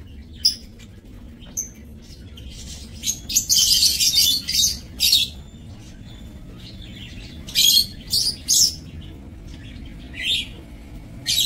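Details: Breeding lovebirds in an aviary, 30 May 2024: bursts of grating, high chirps come in clumps of two or three, separated by quieter stretches with faint squeaks.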